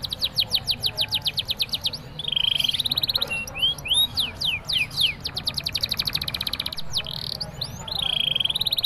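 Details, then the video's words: A canary sings a long, unbroken run of rapid trills, fast down-slurred chirps and buzzy rattles, bright and high-pitched, with prinia-like notes woven in. "kenari Gacor NGEROL panjang isian Prenjak"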